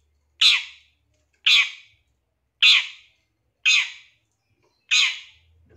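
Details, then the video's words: Long-tailed shrike lure recording, intended to trigger quick, emotional singing: five loud, rough, scratchy squawks spaced a little over a second apart, each dropping off quickly, over near silence. "Pancingan Suara Pentet Bahan Agar Cepat Bunyi & Emosi ~ CENDET"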